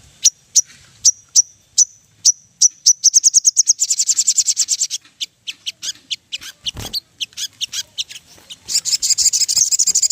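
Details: Ruby-throated bulbul song used as a lure to make birds sing: sharp high ticks spaced about half a second apart speed up into a dense buzzing trill, then loose notes and a final rapid rattling burst.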